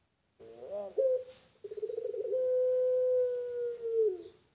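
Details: Pelung-style coo from a farm-kept Barbary dove: a quick wavering, bubbling lead-in, a brief pause, then a rolling burr that smooths into a very long, steady low tone ending with a slight downward slide.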